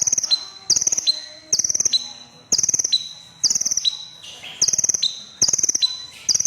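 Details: Energetic crimson sunbird song: repeated sharp, buzzy high trills, each a rapid string of pulses, coming about every second, with a faint lower note between.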